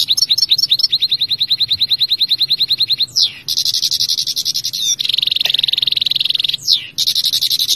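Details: European Goldfinch song, a fast run of evenly repeated liquid chirps, then sustained buzzy trills and quick rising slurred notes, delivered loud and continuous; faint steady low hum in the background.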